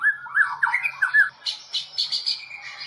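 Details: White-rumped shama of the Medan variety, champion of the 2018 Presiden Cup national event, giving harsh, squawky, warbled phrases. Short, buzzy, high notes follow, repeated about every quarter second.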